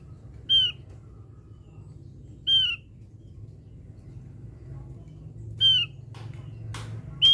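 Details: Javan grey-throated white-eye lure-call recording: four short, harsh, slightly falling notes spaced about two seconds apart, over a low steady hum and a few faint clicks.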